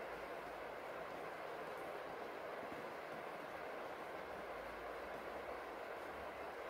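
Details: Steady rain falls on a rainy day, a dense even hiss with no clear animal calls standing out.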